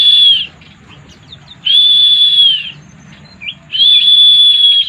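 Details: Pleci mabuk, the drunk-style song of a white-eye: drawn-out, flat, pure whistles lasting up to a second and a half, given about every two seconds, with a brief rising chirp in one gap over a soft low rumble.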